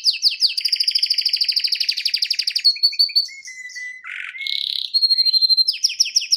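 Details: Male pet canary singing indoors, performing along with a screen: a long rapid rolling trill, then a low whistled note, a buzzy burst and more fast trills.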